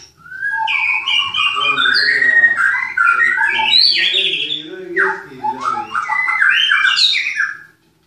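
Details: White-rumped shama from a breeding farm in Klaten, Indonesia, pouring out a busy song of quick whistles, buzzy notes and harsher squawky passages, briefly dipping in volume before a final rising flourish.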